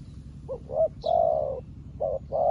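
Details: A newly trained spotted dove decoy calls to wild doves like an experienced decoy bird. It gives a short soft coo, then a drawn-out hollow coo, then two more coos. A faint high chirp comes from another bird.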